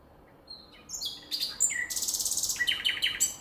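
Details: Common nightingale singing in nature: after a quiet start, varied bright phrases of short whistles and buzzy notes lead into a fast run of rhythmic, repeated chirps, loud and close, over a faint steady background hiss.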